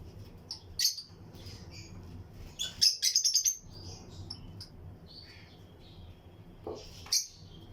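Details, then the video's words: Lutino lovebirds chirping in a breeding colony aviary shared with other birds. Isolated shrill chirps, then a quick burst of rapid high twitters near the middle and a few later squeaks, over low hum. "Lutino Lovebirds Breeding Colony Cage - Chirping and Relaxing Sound"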